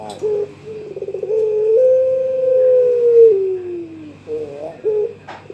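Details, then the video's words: A young Barbary dove of the pelung type calls out to a rival with short rolling coos leading into one long, smooth, sustained coo that sags at the end, followed by brief quavering coos. "Suara puter pelung muda memanggil lawan"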